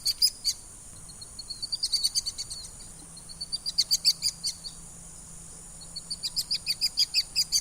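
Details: Common swifts calling in bursts of fast, sharp, high-pitched ticking screams, three rapid pulsed series separated by short pauses, over a faint steady background hum.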